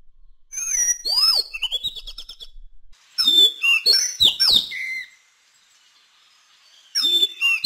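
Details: Madagascar magpie-robin singing varied whistled phrases with sharp swoops, rich slurred notes and quick rattly pieces, delivered in bursts separated by short pauses.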